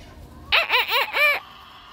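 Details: Bantam rooster crowing in the morning: a short, choppy crow of four quick arched, harmonic-rich notes lasting about a second, with faint background hiss.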